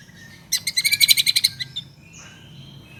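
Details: White-rumped shama song used as a lure to get other pet shamas singing: a fast rattling series of about twelve sharp, high notes lasting one second, then fading to faint warbling with low background rumble.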